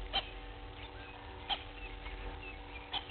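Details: Lilac-breasted roller at Gowrie dam waterhole, Djuma Game Reserve, Sabi Sand, South Africa, 06:38 on 05/08/21, via live waterhole camera: three short, harsh, rasping notes about 1.5 seconds apart, over a low rumble and steady electrical hum.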